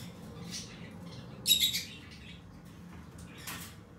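A Fischer's lovebird gives a quick pair of shrill, harsh squeaks, with a few fainter chirps before and after over a low room hum.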